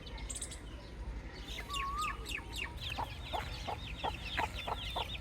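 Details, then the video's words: Several baby chicks chirp in rapid succession: sharp, high, slightly descending peeps, about three per second, with one longer wavering whistle, over low background rumble. "Soft Baby Chick Chirping Sounds"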